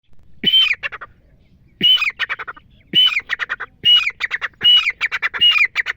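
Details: Female wild grey francolin, a hunting call: loud harsh phrases repeat about every 1.2 seconds. Each starts with a strong squawk, followed by a rapid run of shorter clipped notes. The background is quiet.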